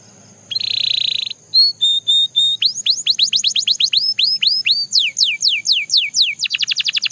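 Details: Belgian canary song beginning with a buzzy burst, then level piped notes, arched phrases and falling sweeps, finishing in a fast run of ticking notes.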